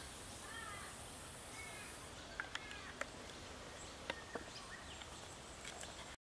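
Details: Little wattlebird, Sydney, giving its characteristic scratchy croak: a few harsh croaks and sharp clacks at irregular intervals over a steady background hiss, with faint softer bird notes behind.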